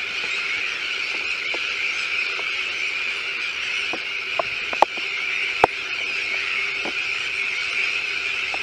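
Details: Sandwich terns at a breeding colony with chicks on a newly built shell island in De Putten, Netherlands: a dense, unbroken din of harsh, grating calls from many birds, with a few sharp clicks and knocks.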